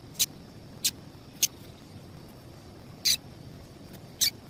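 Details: Female double-collared seedeater giving the chip call meant to excite males: five brief, bright, high-pitched chips, three in quick succession about every half second, then two more after a pause, with faint steady background hiss.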